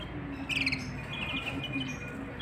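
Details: Canary male with a female beside the nest of chicks; a brief, rapid, high trill opens, then a few thin whistled notes spaced out over a steady low hum.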